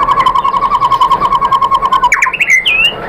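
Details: White-rumped shama lure song for provoking a reply: a steady rapid pulsing series of mid-pitched notes for two seconds, then a few higher, sweeping whistles at the end.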